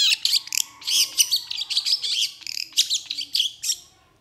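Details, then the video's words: A cendet (long-tailed shrike) gives a dense, fast song of high squeaky and twittering notes mixed with harsh buzzy elements, fading out at the end. "3 MENIT PENTET AUTO GACOR❗️Cendet Gacor Emosi"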